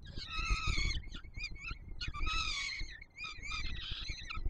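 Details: Peregrine falcon chicks begging as an adult male feeds them at the nest on Warsaw's Palace of Culture and Science, Poland, 7 July 2022: loud harsh harmonic screams, repeated in rapid bursts with short gaps, over low rumbling background noise.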